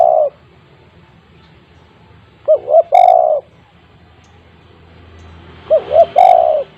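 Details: Full-voiced spotted dove, a lure for untrained doves, repeats its phrase twice: two short quick notes followed by a long, steady, resonant coo, with low background rumble between.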